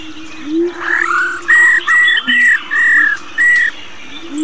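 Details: Wild-caught old female White-browed laughingthrush making rò calls to stimulate males. After a rising slur come five clear, level whistled notes of about a third of a second each, evenly spaced, over a faint lower hum.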